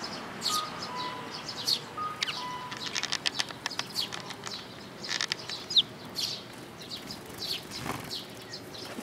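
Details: Eurasian tree sparrows with their chicks on 13 May 2018, giving scattered bright chirps in uneven bursts, mixed with soft wing flutters and a few thin tonal notes.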